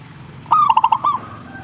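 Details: Zebra dove answering: a single short phrase of about five rapid, pulsed coo notes ending in a slurred note, over a quiet low background hum.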